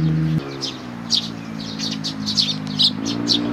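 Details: A group of sparrows at a Tenmangu shrine, 2 May 2019, chirping busily: loud, sharp cheeps overlapping, several per second, while a low mechanical rumble changes pitch behind them.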